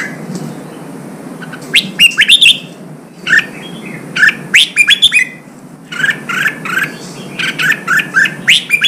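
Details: Wild-caught red-whiskered bulbul singing during training for singing contests: repeated bursts of chattering chirps and whistled notes, each lasting under a second, with short quiet gaps between phrases.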